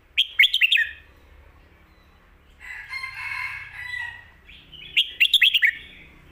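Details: Red-whiskered bulbul singing a full, quick-delivered song meant for tutoring young birds: rapid clustered whistled notes at the start, a softer warbling passage midway, then another rapid burst of rich chirped notes.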